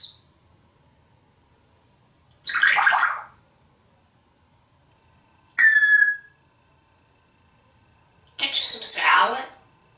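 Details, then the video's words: Home-kept African grey parrot in the shower gives three separate bursts: two raspy speech-like utterances and a brief whistled tone between them, with quiet gaps. "More! Shower Talk! with Einstein Parrot"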